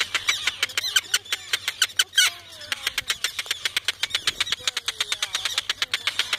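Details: Common Terns on their nests on Great Gull Island on 30 May 2015 alarm at people counting nests and eggs nearby: rapid, harsh, high kek notes, several a second, mixed with grating longer calls from many birds, over a faint low hum.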